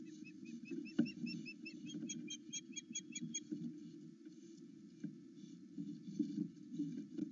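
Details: Osprey at a Loch Arkaig nest, recorded by a live camera in the morning, excited by its mate returning: a quick burst of high whistled cheeps lasting about three seconds, then knocks and rustling against a continuous low rumble.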